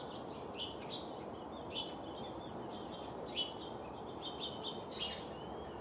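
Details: Orange-crowned warbler in a backyard, described as hungry, giving short, sharp high chips at irregular intervals, about one every second or two. A steady low rumble of background noise runs underneath.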